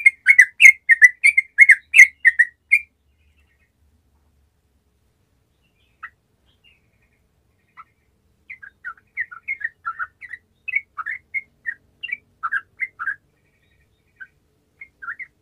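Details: Gacor sooty-headed bulbul song meant to set quiet bulbuls singing: an opening loud burst of rich chattering phrases, a pause of several seconds, then softer liquid slurred notes returning in quick uneven runs.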